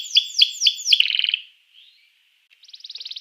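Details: Canary song for provoking other canaries to sing: four bold downslurred whistles, a fast buzzy trill, a pause, then a soft rapid trill resuming.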